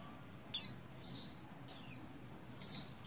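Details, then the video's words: Female buxtoni Oriental white-eye in breeding condition calling a male: alternating sharp high chirps and softer drawn-out falling notes, about half a second apart, over a quiet low hum. "Call Burung Pleci Betina Birahi Memanggil Jantan"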